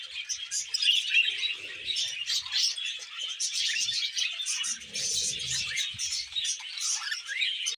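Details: A male budgerigar courting a young female indoors; a continuous jumble of twittering, clicking and scratchy chatter, with a brief low rumble midway.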